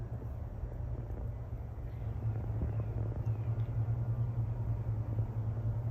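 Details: Low traffic rumble and a droning hum with faint distant voices, and no animal calls.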